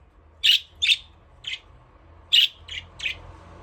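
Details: Budgerigars playing in their aviary give short, sharp chirps in two loose bursts of three, each note bright and harsh, with quiet gaps between the bursts.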